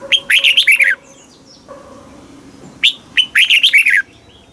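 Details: Red-whiskered bulbul in southern master-style song, used to stimulate caged birds and train youngsters: two rapid bursts of chirpy, warbling whistled notes, each about a second long, separated by a gap with a faint low hum.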